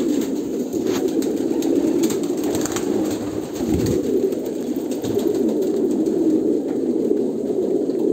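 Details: Overlapping deep coos from Kolkata pigeons run without a break, joined by a soft thud near the middle and scattered clicks.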